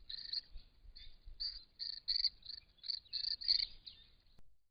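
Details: A shy Little Lorikeet, one of 1–3 birds visiting a property's pond in December 2014 and January and March 2015, gives rapid, shrill, high-pitched screeches, several per second, over a faint low rumble.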